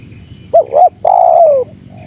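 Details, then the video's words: Single phrase from a spotted dove lure recording: two rapid rounded notes, a brief pause, then one long coo easing down in pitch, clear against low background noise. "MP3 Suara TERKUKUR GACOR ‼️semua burung pada ngumpul"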